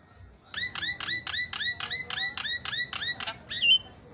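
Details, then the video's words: Javan myna song used to train other mynas: about eleven squeaky, down-slurred notes repeated evenly at roughly four per second, closing with a brief whistle. "KICAUAN JALAK SUPER MANTAP"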